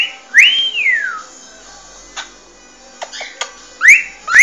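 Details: Cockatiel in its original song: a long arching whistle that rises then slides down, followed by quiet clicks and two short rising whistles near the end.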